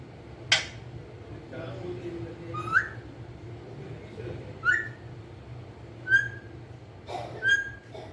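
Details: Pet green ringneck parrot, described as a talking bird: short, rising, whistle-like notes with bright overtones, given singly roughly every one to one and a half seconds, with a sharp click at the start and low background hum throughout.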